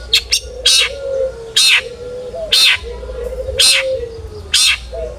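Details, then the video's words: Long-tailed shrike singing to provoke rival shrikes: harsh, rasping bursts roughly once a second, preceded by two quick sharp notes, with a low steady hum beneath. "burung cendet gacor FULL ISIAN buat PANCINGAN CENDET AGAR BUNYI!!"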